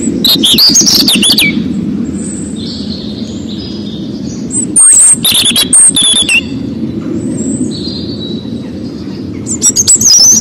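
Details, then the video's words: American robin singing short bursts of warbled phrases mixed with thin, high squeaky notes, over a steady low rumble and some clicking noises. "Canto do Robin Americano- Tordo Americano"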